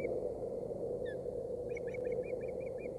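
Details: Osprey at a Boulder County nest on 16 April 2018, as fish is brought for the hungry female; a quick series of short whistled chirps starting midway, over a loud steady low hum from the nest camera.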